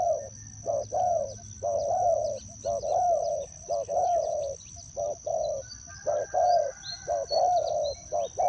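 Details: Decoy spotted dove at a bird trap, calling with repeated low, rounded, slightly rolling coos, roughly one each second, over a steady high electronic-sounding whine and scattered faint bird chirps.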